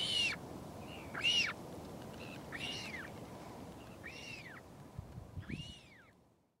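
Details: Northern royal albatross at the Pukekura/Taiaroa Head colony near Dunedin, New Zealand, a parent flying in to feed its chick, gives five high, arched, squealing calls about every second and a half over low wind rumble.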